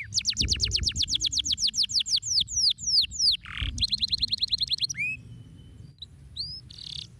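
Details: Canary singing, meant to quickly stimulate lazy canaries: rapid rolls of high descending notes, a swooping phrase, a buzzy burst, another fast trill, then scattered sliding whistles fading out.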